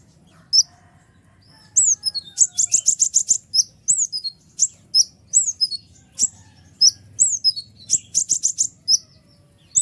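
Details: Kolibri ninja sunbird, singing noisily to make other birds respond: very high slurred whistles mixed with fast buzzy chatter runs of rapid repeated notes, continuing almost without a break.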